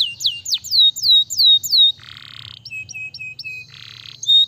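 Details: Canary song with a series of loud falling whistled notes, then softer buzzy passages and short repeated chips before one last whistle.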